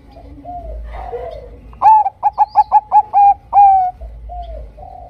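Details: Lure song of a Bangkok zebra dove, used to get other zebra doves singing: faint soft notes, then a clear phrase of seven short coos and a long falling final note, followed by quiet cooing.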